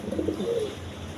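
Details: Pigeons cooing on a farm with eggs and chicks, a low soft coo drawn out around half a second, in a quiet room.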